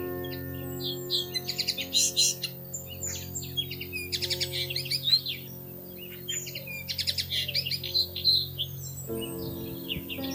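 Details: Nesting pair of Bushtits in plum tree branches, early May, watched from a window at treetop level; clusters of sharp, very high twittering notes in quick runs with brief gaps, backed by quiet sustained music.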